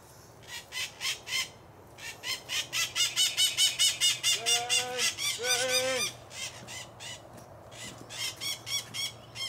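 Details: Macaws at a rural smallholding giving loud, harsh, rasping squawks repeated rapidly, more than two per second, in a long rhythmic run; midway a lower, clearer honking call briefly overlaps before the squawking fades and resumes.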